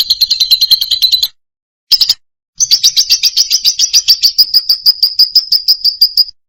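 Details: Loud lovebird song: rapid, high, shrill chirps running together in fast trills, broken by two short pauses, then a long steady chattering run of about four seconds.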